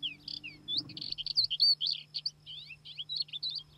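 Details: Thekla's lark on the plateaus of Spain, between Aragon and Extremadura, identifiable by its song, which is similar to a crested lark's: a fast, continuous jumble of high twittering and whistled slurred notes, with a steady low hum and a brief rustle underneath.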